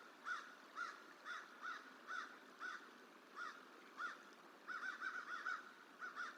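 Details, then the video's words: Crow mobbing a young bald eagle that is eating on a hatchery tree at Decorah, 29 January 2023, filmed by a live bird cam; rasping caws repeat about every half second, then bunch into a rapid run of five near the end. "Crow Protest Juvenile Eagle Eating On Hatchery Tree"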